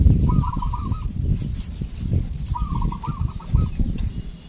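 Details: Local zebra dove singing in a cool rural village setting in the morning: two low, rolling cooing phrases, each a quick run of linked coos, separated by a pause of about a second and a half, over steady low background rumble.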